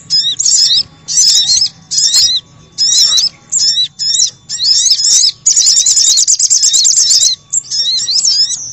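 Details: Lure recording of little spiderhunter to bring in wild birds: spaced bursts of high, wiry chirps, then a long fast trilled stretch near the end.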